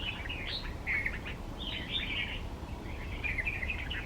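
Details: Red-vented bulbul (Pycnonotus cafer) singing from a bed of wildflowers in West Bengal, India: three short bursts of bubbly, chirping notes about a second apart over a steady low background rumble.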